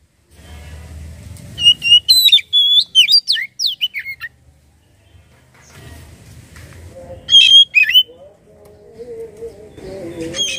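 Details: Oriental magpie-robin singing, used as a lure to make the bird sing: a run of bright whistled and slurred notes over a low rumbling background, a short pause, then a few more sharp notes and a lower warbling tone.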